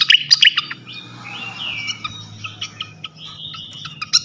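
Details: Flycatcher (sikatan) lure song for provoking other flycatchers: sharp chip bursts at start and end framing long smooth whistles and soft twittering in between.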